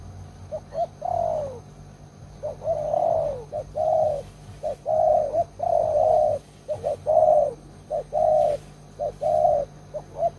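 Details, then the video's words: Loud-voiced old decoy spotted dove used to catch wild doves, cooing continuously: brief soft notes alternating with long mellow coos that drop in pitch, roughly every second, over a steady low hum. "Terkukur Pikat Lama, Selalu ok Suara besar"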